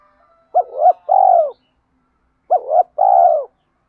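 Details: Spotted dove coo phrase, used to train and lure other doves, given twice: a doubled hooting note leading into a long burry falling coo, repeated after a one-second pause.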